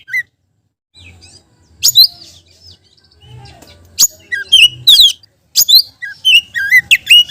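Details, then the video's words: Oriental magpie-robin singing energetically in a filled-in song used to lure other magpie-robins: bright whistled notes and sharp slurred phrases, sweeping up and down in bursts between short pauses, over a faint low hum. "BURUNG KACER GACOR‼️ isian beset || cocok untuk pancingan kacer lain‼️"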